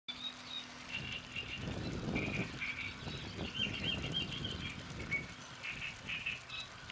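Great reed warbler giving harsh, grating phrases repeated in quick, uneven chunks, over a steady low rumble of wind or distant traffic.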